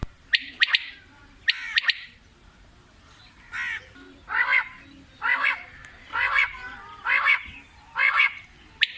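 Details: Quail (batair) calling in bursts: sharp clicks at the start, then harsh, buzzy broadband notes about one per second, repeated regularly.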